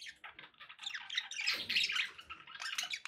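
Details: Pet budgerigars chattering continuously with dense, scratchy warbles and squawky notes, rising in intensity midway, over a soft background noise.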